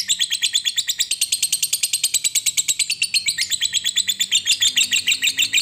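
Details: Lovebird 'ngekek panjang' lure recording: a continuous fast, high-pitched rattling chatter, about eight notes per second, steady and buzzy throughout.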